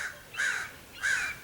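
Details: Common ravens in Cheseboro and Palo Comado Canyon, Agoura Hills, California, 15 February 2025, give two harsh, hoarse calls, each about a third of a second and roughly half a second apart, apparently reacting to foxes nearby.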